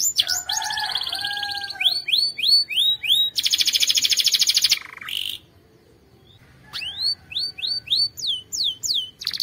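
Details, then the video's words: ['Canary singing strongly in a training recording. Repeated falling chirps and a rapid buzzy roll are followed by a silent gap, and the song resumes with rising-falling whistled notes.'] "Canary' s most powerful song - spectacular video training canary singing bird"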